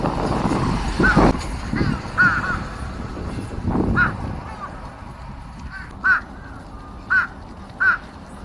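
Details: On 13 March 2026, crows quarrel while eating: scattered short, rasping caws, some in quick pairs, with three sharp ones standing out near the end against low background rumble.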